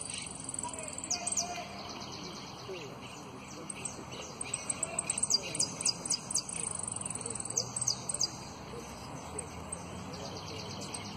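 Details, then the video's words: Jilguero, a runner-up in a singing competition, performing its contest song of prio, golpe and pitadas: bursts of thin, very high chips and quick trilled runs, delivered in uneven clusters over steady background noise and faint talk. "JILGUERO AUDIO "EL DELFIN" ( prio, golpe y pitadas)"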